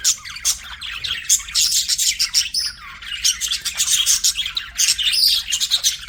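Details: Several pet budgerigars chatter nonstop, a dense high warble of quick chirps, clicks and buzzy trills with occasional slurred whistles.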